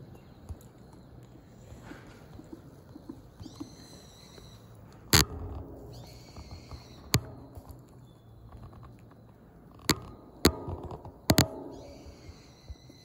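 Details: Common kingfisher on the Zenpukuji River in Suginami, Tokyo, filmed on a smartphone with a telephoto lens: short bursts of high, thin whistled notes at intervals, with several sharp loud clicks and a low background rumble.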